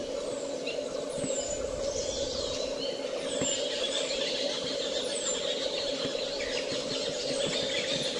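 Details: A shy male pied thrush near Sattal lake in summer, among canals, gives thin, very high, down-slurred whistles about every two seconds over a steady low hum, perhaps water or a distant engine; finding: Pied Thrush.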